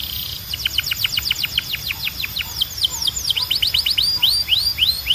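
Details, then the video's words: Belgian canary in continuous song, pouring out rapid falling whistles, roughly four or five a second, then slower looping upward notes. Faint background hum. "Som de Canário Belga Super Afinado"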